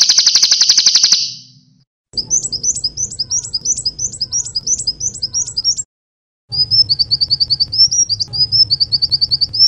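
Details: Sunbird song from a training recording for cage birds. A buzzy high burst gives way to a run of rising, whistled notes repeated about twice a second, then rapid level twitters over a low steady hum.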